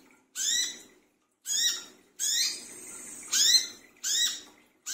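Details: Brown-throated sunbird noisy in the middle of the night, a lure recording: six rasping, rising notes, one followed by a sustained buzzy hum before the calling resumes.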